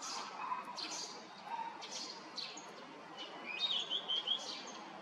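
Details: On the Yanagishima coast at Chigasaki, Japan, a male blue rock thrush calls on a May 2023 morning while driving off bugs; scattered clicks and chirps, then a quick run of high whistled notes near the end.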